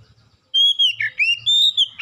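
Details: Oriental magpie-robin song played to lure other birds into singing: a sustained, clear whistle that wavers, dips and rises again, broken by brief pauses, with a faint low hum underneath.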